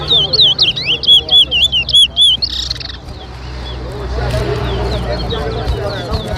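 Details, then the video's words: Towa towa (large-billed seed finch) singing in a whistling competition at Lusignan, Guyana, 2023: a run of loud, clear, looping whistled notes repeated quickly for about two seconds, then crowd chatter and background music. "TOWA TOWA BIRD WHISTLING COMPETITION"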